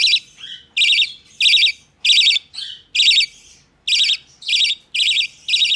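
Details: Budgerigar nestling, hand-tame, 12 November 2020: about nine raspy, pulsed calls in quick succession, some joined by softer trailing sounds, in a quiet indoor setting.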